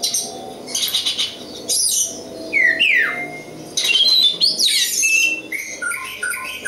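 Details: Oriental magpie-robin from East Java, local stock, delivering harsh rasping bursts mixed with swooping downward whistles and rising slurs, a loud varied and scratchy song over faint low hum.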